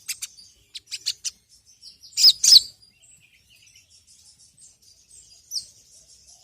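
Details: Sogon (ruby-cheeked sunbird) song used as a lure call: spaced thin high chirps, a loud double burst of sharp notes, then soft faint twitters and a final sharp chirp.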